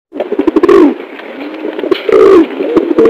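A dove gives soft, low, rolling coos that swell and fade in repeated phrases.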